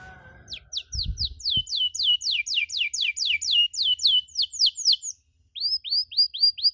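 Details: Canary 'cuit cuit' chirping recorded to tutor young canaries: after a brief low hum and knocks, a long series of crisp downslurred chirps, a short gap, then a few rising swooping notes.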